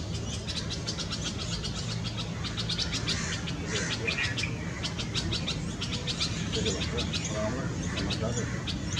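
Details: Red-vented bulbul at its nest in a Karaunda bush while feeding chicks, in a Delhi garden in May 2020 during peak summer heat: rapid, thin, high chirps repeated throughout, over a steady low hum and faint voices.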